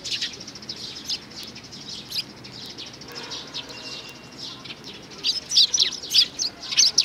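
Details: Young sparrow, recorded June 2019, with faint, high chirps early on, a quieter gap, then a burst of loud, rapid chirps at the close.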